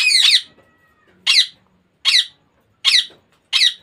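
A young ringneck parakeet gives five harsh, high squawks spaced under a second apart, with faint indoor background noise.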